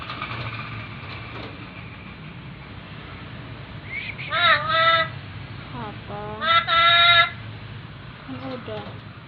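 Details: Black-capped lory, a tame pet bird said to talk, calling "mama": two loud, harmonic, wavering syllables a second or so apart, with softer shorter calls between and after, over low background noise.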